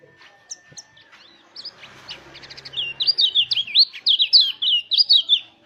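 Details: Lure song of a mountain white-eye, used to coax other white-eyes into song, in a rolling wild style. Sparse high chirps and a steady faint tone build into a fast, loud string of twisting, warbled whistles.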